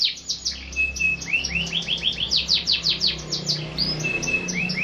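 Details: Pet canary singing repeated sharp chirps and downward slurs with short level whistles, rhythmic phrases about twice per second over a faint low hum.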